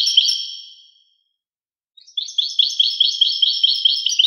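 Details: European goldfinch singing: a sustained twittering phrase, a pause of about a second, then a run of quick liquid tinkling notes repeated over two times per second.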